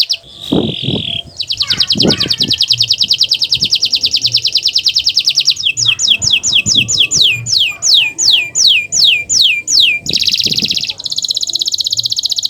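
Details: Master song of a canary for prompting birds that stopped singing: opening clicks and a steady whistle, then long fast rolling trills, a run of slower falling slurs and a buzzy rattle.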